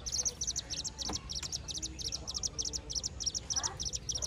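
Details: Baby buff-banded rail giving a rapid series of thin, very high peeps in short clustered bursts, roughly three per second, continuing steadily with faint low background rumble.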